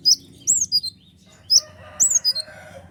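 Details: Sunbird (kolibri ninja) in lively song, used to stir up and provoke other birds: sharp, very high chirps and downslurred whistled notes in short bursts, with a pause between groups and faint low hum beneath.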